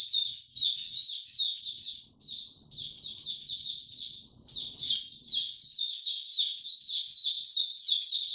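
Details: A white-eye (Mata Puteh Hercules) sings in warm, very humid weather on 26 March 2022: a fast, continuous run of high, sweet twittering notes, rising in intensity toward the end, with no other sounds.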